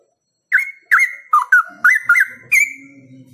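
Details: Straw-headed bulbul (cucak rowo) in full, energetic song: a loud run of seven rich, clear whistled notes with sharp onsets, some dipping and others rising, delivered in quick succession over about two seconds. A faint low hum sits underneath.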